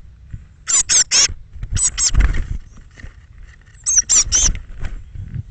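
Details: Thirteen Eurasian blue tit nestlings fledging from a nest box, morning of 21 May 2017 between 06:00 and 08:00; sharp, very high squeaky calls in clusters of two to three, repeated about every one to two seconds, over soft low background rumble.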